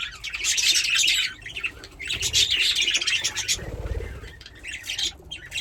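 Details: Two playful pet budgerigars chatter: dense, rapid high chirps and warbles in bursts of about a second, with brief lower squawky notes between them.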